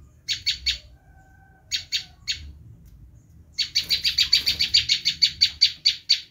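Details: Screaming Bar-winged prinia, used to lure wild prinias, with short groups of two or three harsh notes followed by a long accelerating run of rapid buzzy chips.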